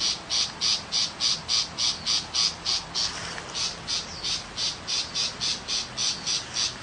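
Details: Tiger shrike calling in rural countryside: steady, evenly spaced rasping chatter notes, about three per second and high-pitched. The sequence runs almost without a break, with only a brief softer stretch in the middle.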